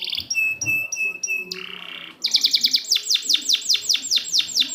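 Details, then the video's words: Canary song meant to coax silent canaries: clipped paired notes over a steady tone, a brief buzzy burst, then quick repeated downslurred chirps. "Masteran burung kenari macet"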